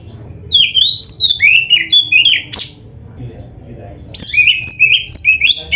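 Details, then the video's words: Training recording of an oriental magpie-robin (kacer) in lively full-isian song. A run of quick, repeated slurred whistles steps downward, then pauses briefly. A second brisk series of bright, rising and falling notes follows. "MASTERAN KACER GACOR FULL ISIAN JOS"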